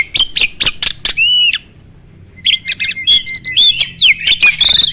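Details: Starling song for training other caged birds: rapid clicks and a buzzy whistle, a short silence, then a long thin level whistle overlaid with chatter and a looping slurred note.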